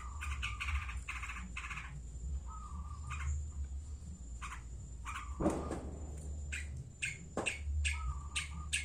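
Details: Long-tailed shrike from Madura, noted as an eager singer, giving clipped chirps and short squawky notes in broken clusters with pauses, plus a couple of flat mid-pitched tones over a constant low background hum.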